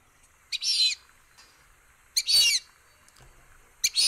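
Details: Fulvous Whistling-Duck at Sonso Lagoon, a tropical dry-forest wetland near Buga, Valle del Cauca, Colombia, gives three high, squealing whistled calls, each under half a second, about one and a half seconds apart, over quiet background.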